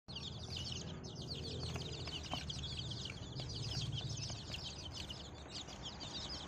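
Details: Flock of free-range chicken chicks, a mix of Bangkok and village breeds just separated from the mother hen, peeping constantly in a dense chorus of high, short cheeps over low rumbling background noise.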